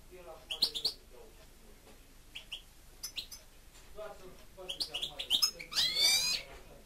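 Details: A pet European goldfinch sings scattered short chirps and clicks that build into a dense, buzzy twittering flourish near the end. No other sounds.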